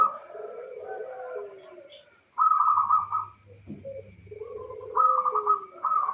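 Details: Female local zebra dove calling to the male, a lure to draw males into song: soft cooing phrases, a low slurred coo near the start, then clipped bubbling notes in two bursts separated by short pauses, with a faint low hum underneath.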